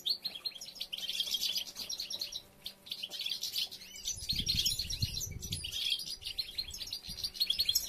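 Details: European goldfinches during nest building, with females gathering material and three nests counted; continuous high, jingling twitter from several birds, with a brief low rumble partway through.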